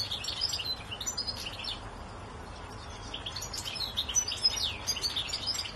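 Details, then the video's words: A goldfinch sings from a tree, a rapid, tinkling twitter of high, bright notes and trills running almost without pause, over a faint low rumble. "Jilguero cantando"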